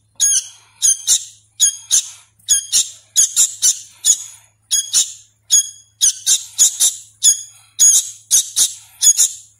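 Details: Young sooty-headed bulbul chick, hand-fed and still learning its voice, giving harsh, buzzy high squeaks in quick pairs and short bursts, repeated about every half second with brief gaps, in a quiet indoor setting.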